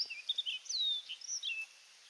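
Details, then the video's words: Orchard oriole in coastal South Carolina at Donnelley WMA delivering a rapid burst of varied whistled notes, including a long clear downslurred whistle, over steady high-pitched background hiss. "Orchard Oriole Singing"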